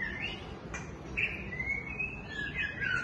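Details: White-rumped shama giving clear whistled phrases, a sharp high note, then long smooth gliding whistles, over a steady low background rumble.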